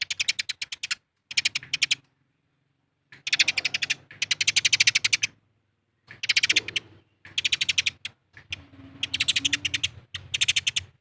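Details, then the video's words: Eurasian tree sparrows giving a territorial fighting call, used as a lure to provoke other birds to sing. Harsh, clicking chirps come in rapid, dense bursts of about one to two seconds, separated by short silences, over a faint low hum. "PANCINGAN BURUNG GEREJA TARUNG AGAR BUNYI"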